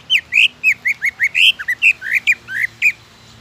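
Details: Song of a greater green leafbird, played to stimulate other leafbirds to sing: a rapid string of bright whistled notes, some rising, some dropping, about four per second, each sharply separated.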